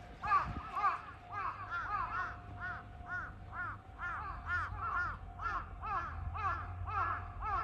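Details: Two crows recorded on 1 April 2023: a long sequence of hoarse arched caws, roughly two per second with uneven spacing, over a steady low hum and a faint continuous tone.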